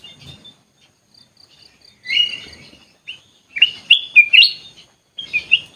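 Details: Caged sooty-headed bulbul in an aviary, giving chattering, liquid notes that build into a rapid phrase of four rising and falling whistles. A shorter burst follows after a brief pause, with soft high chips between.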